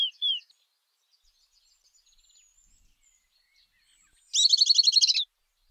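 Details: Southern beardless tyrannulet: two short descending whistles at the start, then after a quiet gap a loud, rapid trill of high, evenly spaced notes lasting nearly a second.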